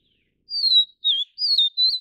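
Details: A Vivid Niltava of the Taiwan subspecies Niltava vivida vivida gives four clear, high whistled notes, each slightly slurred and falling, about one every half second; nothing else is heard.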